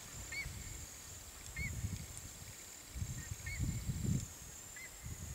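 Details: Whistling heron (Syrigma sibilatrix), a Brazilian pasture heron, giving short, thin whistled notes about every one to two seconds, faint over a steady low rumble of wind; call.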